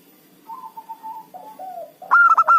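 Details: Local zebra dove used as a trapping lure: soft, level and gently falling cooing notes lead into a sudden loud, staccato burst of rapid hollow coos at the end.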